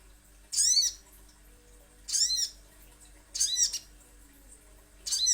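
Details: Little spiderhunter lure recording: four single sharp, high, arching notes, each sweeping down, spaced about one and a half seconds apart, over a quiet steady hum.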